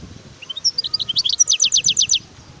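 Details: Wild European goldfinch singing: a brief phrase of thin high notes rising into a fast run of sharp descending twittering strokes, bright and tinkling, with faint low background rumble.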